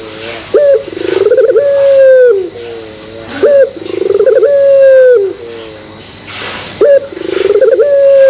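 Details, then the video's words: Puter pelung Barbary dove cooing in a lure recording meant to prompt other doves to coo; three long coos about three seconds apart, each with a throaty onset, a rapid rolling pulsed middle, then a drawn-out steady tonal ending. "Pancingan Puter Pelung Bikin Puter Pelung Yang Lain ikutan Gacor"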